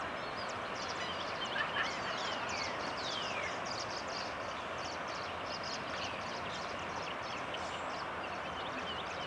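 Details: Least terns at Cape May wetlands, New Jersey, USA, one on a pontoon: high, sharp chattering calls, several birds overlapping about four times a second, over a steady roar of wind or surf.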